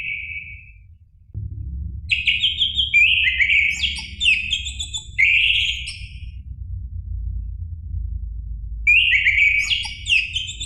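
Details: Song of an orange-headed thrush, a recording meant to provoke a caged bird to sing: a brief whistle, a pause, then varied rich whistled phrases with quick slurs, silence, and another burst of phrases at the end.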